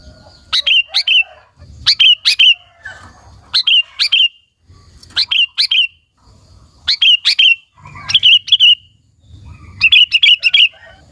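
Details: Sooty-headed bulbul in full song, used to provoke and lure other bulbuls: short bubbly phrases of two or three quick, liquid notes, repeated roughly every one and a half seconds with brief pauses between.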